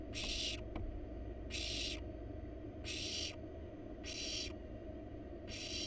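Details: Barn owl family in a wild, monitored nest box, parents bringing a rat to nestlings; five harsh hissing screeches of about half a second, repeated roughly every 1.2 seconds, over low steady hum.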